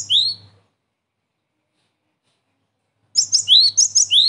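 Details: Lure recording of a gelatik batu, the Cinereous tit, for trapping birds: one short rising whistled chirp, a long pause, then a fast run of sharp high notes alternating with upward-sweeping whistles.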